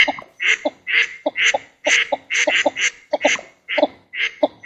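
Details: Rapid run of rasping, nasal duck calls from a Northern shoveler in its natural wetland. Harsh bright notes come about twice a second, interleaved with short low clucks, and the calling is almost continuous.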